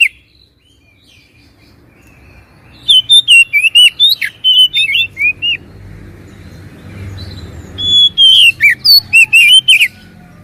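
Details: Lure for oriental magpie-robins reluctant to sing: after near-silence, loud bursts of sweet, varied whistles with sharp down-slurs, separated by a spell of low background rumble, then a second rapid phrase.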